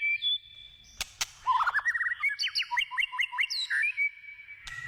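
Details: A white-rumped shama sings in the wild: two sharp clicks, then a quick series of short, bright notes repeated several times a second, ending in a level whistle.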